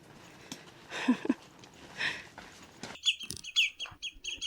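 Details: Lapwings at RSPB Otmoor, Oxfordshire, during a summer heatwave give a couple of high, wheezy, slurred calls in the second half, over rustling and handling noise.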